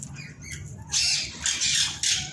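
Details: Parrots screeching: soft scratchy notes give way to loud, harsh, hiss-like screeches in three bursts, with a steady low hum underneath.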